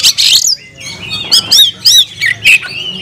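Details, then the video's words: Caged oriental magpie-robin calling briskly: short rising-and-falling whistled notes repeated in quick succession, each about a third of a second apart, with a harsh burst at the start. "kacer gacor nagen sampe leklok"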